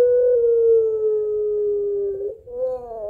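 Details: Barbary dove of the puter pelung type calling its mate, long crying-laughing voice: one smooth, drawn-out note falling slowly over two seconds, a short break, then the start of a rising note.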